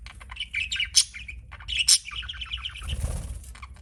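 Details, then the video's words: Budgie giving bright, clear chirps and two sharp squeaks, then a quick even series of about eight short piping notes, ending in a soft low rustle. "BUDGIE CHIRPING SOUNDS"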